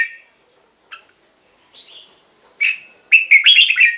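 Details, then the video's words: Red-whiskered bulbul song meant to make caged birds lively or to serve as a lure. Scattered short chirps and a thin whistle lead into a loud, rolling, bubbly phrase at the end. "เสียงนกกรงหัวจุก สำหรับต่อ หรือ เปิดให้นกคึก เสียงเพราะๆ"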